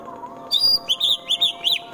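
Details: White-rumped shama, Wonosobo, Central Java, with a short burst of rough 'tembakan' song meant to stir rival birds to fight: five rapid arched whistled notes, each bright and clipped, following a thin high tone.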